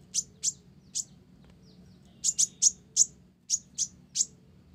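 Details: High, clipped chips from an olive-backed sunbird singing a song stuffed with gelatik phrases, three spaced notes, a pause, then a quicker row of eight bright piercing notes.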